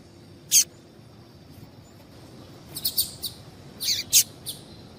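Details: Female double-collared seedeater call used to get males singing: a single sharp high note, then a cluster of quick high chips and a brief twittering burst, with light background hiss.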